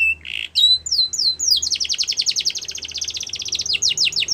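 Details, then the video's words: Training song of a canary, opening with a short buzz and sliding whistles before breaking into a long, rapid rolling trill of about fifteen notes per second, ending in descending swoops. "Canary's Most Powerful Song For Training"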